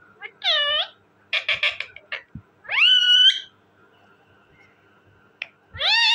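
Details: Talking parrot alternating a downward-curving harmonic squawk, a cluster of rough buzzy notes, and a long call that rises steeply before levelling out, with another harmonic call starting at the end.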